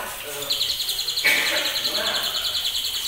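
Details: White-rumped shama youngster, just past two months old and of champion lineage, delivering fast repeated high trotol notes at roughly three per second; a short lower sweep and faint voices sound underneath.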